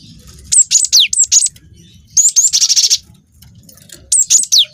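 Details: Cinereous tit, a young bird, in full song used to draw other birds into singing: clusters of piercing whistled downslurs, a sustained buzzy trill around mid-clip, then whistles again. Low background rumble.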